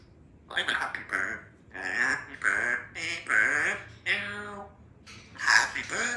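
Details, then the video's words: Three-year-old female Congo African grey parrot, kept indoors at home, practising words while another pet parrot also chatters. A series of short, voice-like, harmonic phrases comes about once a second in a quiet small room. "A few minutes while Symon practices her words, Mickey has a few thing to say also"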